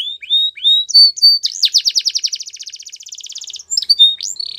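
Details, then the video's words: Singing canaries: short upslurred whistles and clipped notes, then a rapid, even trill of buzzy repeated syllables for about two seconds, closing with scattered bright whistles and a brief buzzy note. "Canaries Singing"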